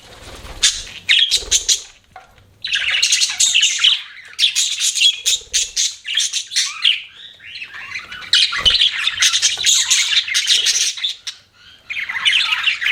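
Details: Chirping of pet budgerigars: long runs of fast, raspy, high-pitched chatter broken by short pauses, with occasional soft thumps and wing-like rustles.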